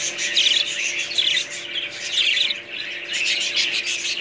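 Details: Budgerigars chirp and warble in quick, bright bursts, including a few sharper metallic squeaks, above a steady low hum.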